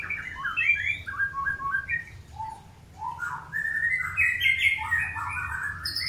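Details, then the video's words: White-rumped shama of the long-tailed type, pairing for breeding: varied whistled phrases with falling and rising slurs, a short pause, then a louder burst of rich warbling notes, with a low background hum. "PROSES PENJODOHAN MURAI BATU EKOR PANJANG"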